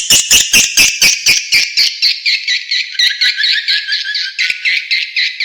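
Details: Edible-nest swiftlet lure call played to attract swiftlets: loud buzzy clicks repeated about twice a second, running into a continuous chirping twitter band.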